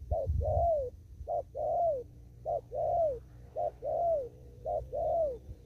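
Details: Spotted dove in the field in Kon Tum giving 'thúc gù' rapid cooing: five even pairs of soft hollow notes, each a brief lead-in and a drawn-out falling coo, at a steady pace over faint low background hum.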